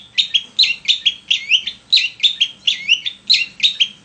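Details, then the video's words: Vigorous long-tailed shrike song, meant to provoke other shrikes into singing: a steady rhythmic series of sharp, twisting whistled notes with falling slurs, repeated about twice a second. "TES MENTAL CENDET DENGAN PANCINGAN SUARA CENDET GACOR"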